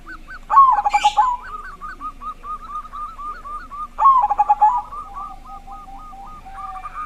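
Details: Zebra dove with a big voice used to set other doves singing; two loud rippling cooing phrases, separated and followed by steady runs of softer repeated hooked notes.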